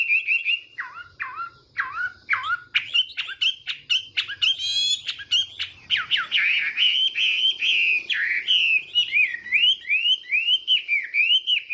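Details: Chinese hwamei performing its morning song to train the voice and provoke rivals: evenly spaced downward-sliding whistles, then a rapid dense warble, and finally a string of quick looping whistled notes.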